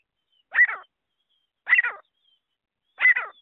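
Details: Francolin, possibly a Grey Francolin, gives three harsh, grating, raspy bursts about a second and a quarter apart with silence between, a call used for hunting.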